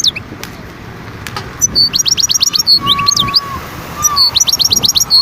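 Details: Wild European goldfinch from Skikda, Algeria, 2022, producing quick runs of bright repeated tinkling notes, about six in a row, in two bursts separated by quieter moments, with a soft whistled tone in between.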